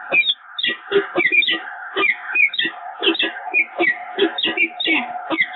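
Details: Nesting peregrine falcons at the Evoluon, bonding on 7 March 2022, giving a fast run of rasping, clipped calls, several each second, with brief pauses between clusters and a constant hum underneath.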